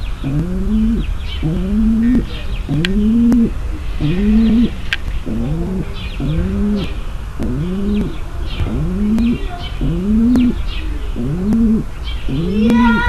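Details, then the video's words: Long run of about ten low, upward-bending coos from a female pigeon summoning the male for mating. The coos are evenly repeated, with scattered high chirps and twitters behind. "صوت نداء انثى الحمام للتزاوج - صوت لتجهيز ذكر الحمام للتزاوج"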